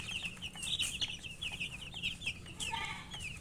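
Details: Young chickens peep busily as they eat, a dense run of thin high chirps, each slightly bending in pitch, over a low electrical-sounding hum and scattered pecking taps.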